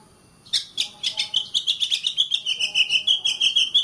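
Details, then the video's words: Oriental magpie-robin singing as a master song for caged birds, a steady rapid series of sharp, buzzy repeated notes over a high whistled tone, pulsing evenly for over three seconds. "Suara Kacer, masteran suara kacer biar rajin bunyi!"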